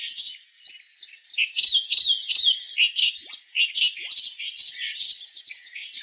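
A clamorous reed warbler sings a loud, chattering run of harsh, grating notes and squeaky whistles, varied and jerky, over a steady high insect hiss.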